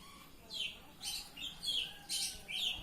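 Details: Oriental magpie-robin singing in the ngeplong style: five loud bright phrases, each a short buzzy burst sweeping down through high whistled notes, spaced about half a second apart over a quiet background.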